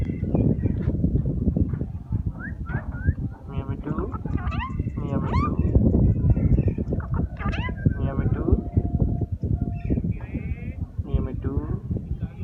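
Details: Talking green parrot giving a busy run of short chirps, rising and falling squawks and speech-like syllables, several per second throughout, over steady low rumbling background noise.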